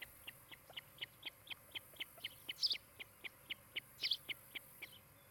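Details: Osprey at a nest near Charlo, Montana, recorded by a nest camera on 16 July 2018 in the afternoon: a steady series of short, sharp whistled chirps, about four per second, with two louder, higher squeals mixed in.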